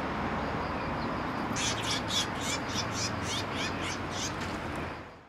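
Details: Sparrows gathering to be fed at a Tenmangu shrine; a burst of about eight harsh, broadband chirps spaced roughly half a second apart, over a steady low rumble of background noise.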